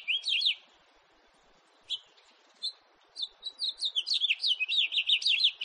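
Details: Short warbled burst from a house finch, then a couple of lone chirps, then a sustained run of quick up-and-down whistled notes to the end.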